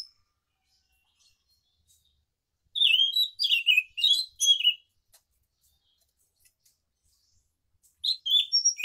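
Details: A scaly thrush sings a rolling morning song of bright, warbling phrases of high twittering notes in two separate bursts.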